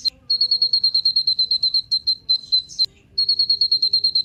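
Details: Kolibri Ninja sunbird lure song meant to spur other birds into singing: a quick, steady trill of thin, high piping notes, about three per second, broken by one short pause and a few sharp clicks.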